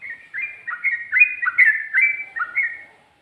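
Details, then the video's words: Sooty-headed bulbul giving a short burst of its 'ropel' song with 'ngikluk' and 'ngGARUDA' touches: quick, bubbling whistled notes sliding between two pitches, fading out at the end. "Burung Trucuk Ropel,ngikluk...ada ngGARUDAnya juga"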